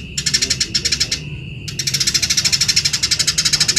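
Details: Vigorously singing Eurasian tree sparrow, recorded for training other songbirds: a chattering burst of quick chirps, a short pause, then a long unbroken series of sharp, evenly spaced chirps at a fast, steady rhythm.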